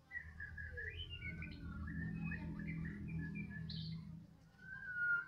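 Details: White-rumped shama, Medan type, in the afternoon: varied whistled notes and a high buzzy phrase over a steady low droning hum, closing with a long clear whistle.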